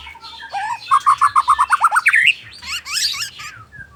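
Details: White-rumped shama singing in the afternoon: a rapid series of about ten clear rising whistled notes around mid pitch, ending in higher twittering phrases and softer chatter.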